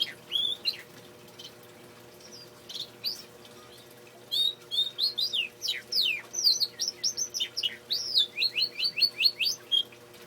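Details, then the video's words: Good singing male canary: scattered whistled phrases, then a dense burst of rapid falling notes building into a steady repeated trill near the end, with a faint low hum. "Canary singing"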